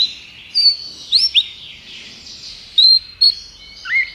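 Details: Belgian canary singing: scattered bright whistled notes and short rising and falling slurs, with quiet gaps between phrases and a faint airy hiss underneath.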